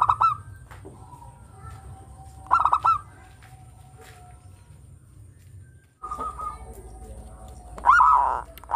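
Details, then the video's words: Local zebra dove singing melodiously, valued as a lure: rapid rattling coo phrases at irregular intervals, with a brief silent break before the song resumes louder. "Perkutut lokal gacor suara merdu yang begini bagus buat PANCINGAN"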